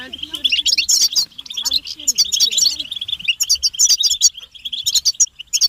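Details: A collective betbeta of European goldfinches: mating and readiness calls meant to stimulate silent males to sing. Bright, clustered twittering chirps pour out continuously, with a faint low voice-like sound in the background early on.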